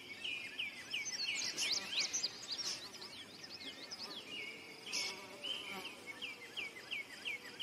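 Indigo bunting singing bright, high sweeping notes, some doubled, then a run of quick repeated chirps, over a steady background hiss.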